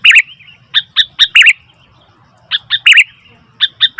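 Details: Noisy Sooty-headed bulbul giving clipped chirps and quick slurred twists in two clusters, with about a second of near silence in between.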